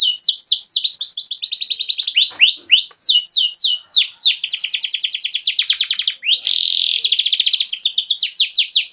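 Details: Excited canary song for stimulating birds to sing: varied swept whistles, long fast trills of repeated notes, a harsh buzzy burst, then further quick rolling phrases, steady and loud throughout.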